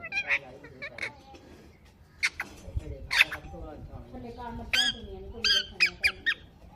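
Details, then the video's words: A green parrot, a talking "mithu mithu" bird, gives harsh, rising chirps and squawks in short bursts mixed with speech-like syllables, about eight calls in seven seconds. "Parrot Chirping sound / voice | Tota Ki Awaz | Talking Mithu Mithu sound"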